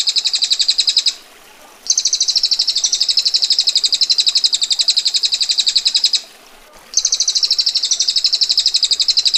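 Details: Three bouts of long, harsh rattling from a female bar-winged prinia, the 'ngetir' style: rapid high pulses, about four per second, each bout several seconds long, with brief silences between.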